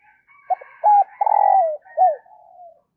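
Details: Spotted dove decoy cooing in the early morning to attract wild doves; a crisp four-part coo with a long rolling middle note, while a fainter, higher crowing-like call runs behind it.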